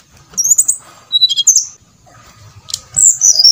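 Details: Brown-chested jungle flycatcher song used as a lure to make other birds sing: short, high whistled notes in brief bursts, with a lower whistle near the middle and a bright descending phrase at the end.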